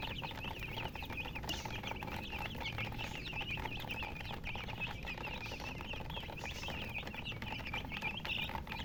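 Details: Colored chickens with a hen: a dense chorus of short, high chirps, many overlapping and repeated rapidly throughout, over steady low background rumble.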